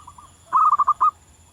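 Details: Wild local zebra dove singing in nature: a soft, low cooing phrase of about five rapid rolling notes, the last note slightly longer, after a faint brief coo; quiet background with a steady high electronic hum.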